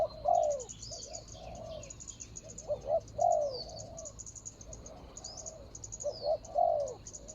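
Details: Spotted dove used in ground decoy hunting to lure a rival, dated 24/01/65: low, mellow three-part coo phrases, a stressed middle note then a drawn-out falling coo, repeated about every three seconds over steady high insect pulsing.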